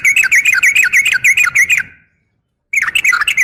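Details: Female yellow-vented bulbul calling a male: loud, lively chatter of rapid bouncing notes for nearly two seconds, a brief silence, then another rattling burst.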